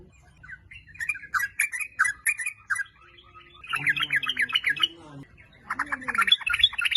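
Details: Sooty-headed bulbul singing, intended as a lure to provoke singing in other bulbuls: a spaced series of short chirps, then two bursts of rapid, bubbly, chattering phrases, with a low soft warble beneath.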